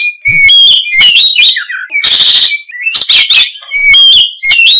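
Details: Kacer, the oriental magpie-robin, singing energetically: clear whistled notes sliding up and down mixed with scratchy, noisy buzzes, phrases tumbling quickly one after another with short gaps.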